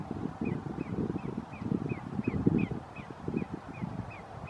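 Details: Greater yellowlegs recorded on 5 January 2019 at Roxbury Park, Meggett, SC, giving a steady series of about a dozen sharp, down-slurred whistles, roughly three per second, above a loud low-pitched rumble.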